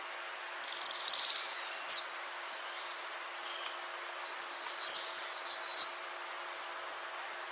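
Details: Green iora call used as a lure: rapid runs of high, thin, downslurred whistles in clustered bursts, several notes close together, then a pause of about a second and a half before the next burst; steady background hiss.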